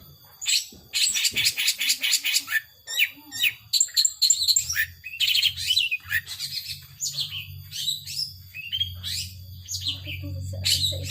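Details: Caged long-tailed shrike in 'power sobek' song: a fast buzzy trill followed by varied harsh chatters and swooping notes, while a low mechanical hum builds underneath in the second half.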